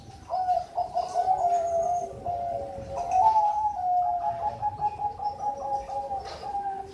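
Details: Captive Bangkok zebra dove from Sidoarjo, East Java, singing a long run of low, sustained, slightly wavering coos against constant background hiss.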